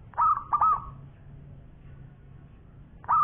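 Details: Local zebra dove singing: two quick rolling coo notes fading into a brief hum, then a pause before another note begins, over a faint low background hum.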